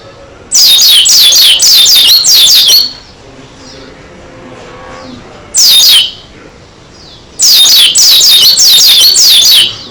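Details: Pleci dakun, an Oriental white-eye, in full lively song with beak open: loud bursts of quick, high, down-slurred whistles in a two-second run, a short phrase, then another long bright burst.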